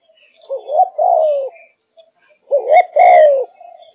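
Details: Kept Malaysian-strain spotted dove singing in full, fired-up voice: two drawn-out, wavering, mellow coos about a second apart, each swelling then sagging in pitch, with faint chirps from other birds in a quiet room.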